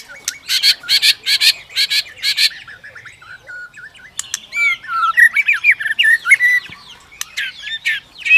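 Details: Female White-rumped shama singing to provoke competitive song, clicking continuously and flicking her tail: opens with a fast run of harsh rasping notes, then a jumble of fluid whistles, twitters and sharp ticks.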